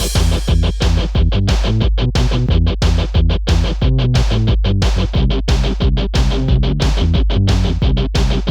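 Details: Loud electronic music with a plucked-string melody and a punchy beat repeating about three times a second, with no animal voice heard.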